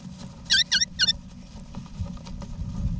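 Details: Nest-box family of wild eastern rosellas in Australia, November 2018, adults with young; a run of three clear, high, ringing notes around the middle second, followed by quieter rustling and low rumble.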